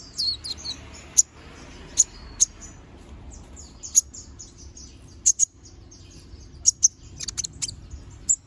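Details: Sharp, very high single chips and paired notes from a little spiderhunter (konin), spaced by pauses of about a second, over faint background hiss.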